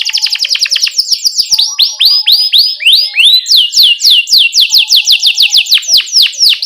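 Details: Master song of a canary for coaching young birds: a rapid run of falling whistled notes that slows into evenly spaced, steeply descending slurs, about four per second, throughout.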